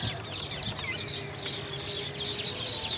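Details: Little green bee-eaters, described as Indian bee-eaters, giving a busy stream of high, thin chirps and twitters over a steady background of other birdsong, with a low continuous whistle running underneath.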